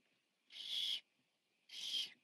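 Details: The biggest barn owl owlet, eating at the nest on 14 Sept 2015, gives two harsh, breathy hisses about a second apart, each lasting half a second, with nothing else heard.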